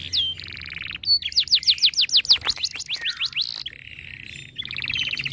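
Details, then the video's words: Canary in breeding condition, fired up by other birds' calls: a steady buzzy note, then a rapid run of loud sweeping whistles, a low buzz and a final high rattling trill. "Kenari Gacor Mental Juara Birahi Tinggi Makin Galak Saat Dengar Burung Lain Bunyi"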